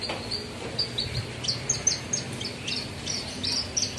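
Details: Caged Javan bush lark (branjangan trotol) in a group ombyokan session, showing off its learned isian song: short high chirps and thin whistled slurs in quick, uneven series over steady background hiss.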